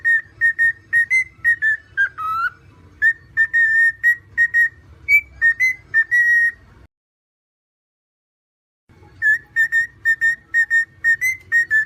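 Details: Cockatiel singing in quick repeated whistles, about two per second, mostly flat-pitched with one dipping slur, then a two-second silence before the whistling resumes; soft background hum.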